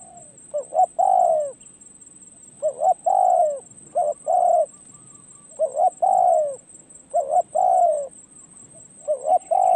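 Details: Repeated cooing from a spotted dove taken out as a decoy to gain perch experience. Clipped paired notes precede a long downward coo, with phrases coming in a loose, irregular sequence and a faint steady hiss.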